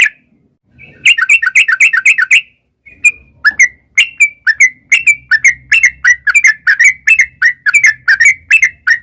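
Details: Sooty-headed bulbul used as a lure for wild birds to answer, opening with a fast chattering burst, then a steady stream of chirpy whistled phrases about two or three per second over a faint low hum.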